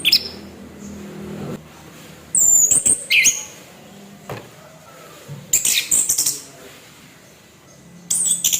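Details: Caged orange-headed thrush in harsh song meant to provoke other birds: brief high scratchy and sweeping whistled bursts separated by long quiet gaps, faint low background hum.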